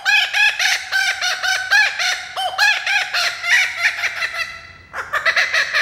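A kookaburra gives a loud, rollicking run of rapid hooked notes, several a second, breaking off and then restarting in a burst of chuckling.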